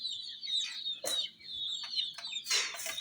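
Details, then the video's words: A group of hen chicks peeps in high, piercing notes near a toy jeep, mixed with several loud clattering knocks and rustles. ""Chicks Chirping" Sound"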